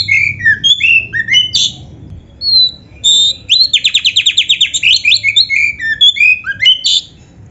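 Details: Kacer (Oriental magpie-robin) tutor song filled with canary phrases: scattered falling whistles and a thin tone, then a dense trill of roughly fifteen repeated buzzy notes and closing rising and falling whistles.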